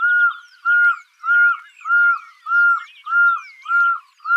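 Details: Loud, evenly spaced whistled notes from a Pearl-spotted owlet, each short and flat-toned, repeated about twice a second, while other birds chirp and trill faintly behind.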